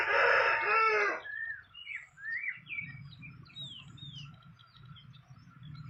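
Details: Wild fantail at the nest: after a loud harsh burst at the start, a string of short upward-curving whistles follows, about two per second, over a low background hum.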